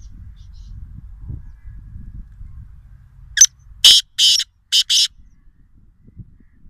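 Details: A black francolin at a farm house in Nawabshah, Sindh, Pakistan, gives one harsh, grating phrase of four or five rasping notes in about a second, over a low background rumble.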